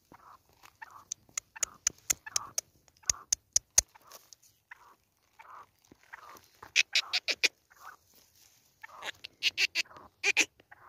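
Black francolin giving harsh, grating call phrases: bursts of sharp, clicking high notes every couple of seconds, separated by softer, lower chuckling notes.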